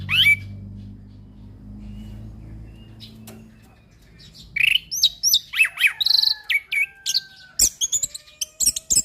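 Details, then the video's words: Orange-headed thrush song for bird training, given in the settled mapan style: one rising whistle, a few quiet seconds of low hum, then a lively run of rapid varied whistles, twangy slurs and sharp clicking notes. "Anis Kembang Pastol Dengan Suara anis Kembang Mapan"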